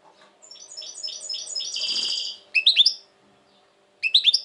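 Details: Goldfinch singing in 2020, said to be currently very tense: a twittering run of high notes swells into a buzzy rattle, followed by two bright chirpy triplets.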